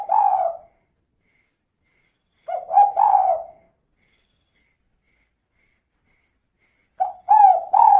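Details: Spotted dove female calling as a lure to set other doves singing: three bursts of deep, rolling cooing, spaced a few seconds apart, each a tight cluster of notes, with quiet between them.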